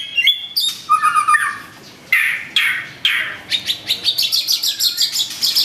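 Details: White-rumped shama, long-tailed, opening with thin whistles and a short trill, then rough harsh notes, then a fast run of sharp repeated chirps.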